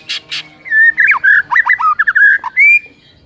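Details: Morning song of a white-rumped shama, used as a master recording for training: two short buzzy bursts, then a fluid string of clear whistled notes jumping up and down, ending in a rising whistle.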